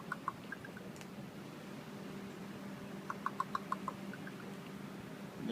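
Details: Two ravens calling to each other from a tree, the more vocal one later flying off: short, hollow knocking notes, a few at the start then a quick run of about six in under a second, over a low steady hum.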